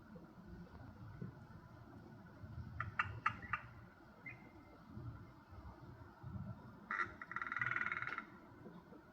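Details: A hooded crow (Corvus cornix) in a Dublin backyard gives quiet, unusual close-range calls, possibly signalling curiosity or a relaxed state rather than alarm. It makes a run of clicking, knocking notes, then a harsher rattling, gurgling phrase, unlike a plain caw, over a low rumble.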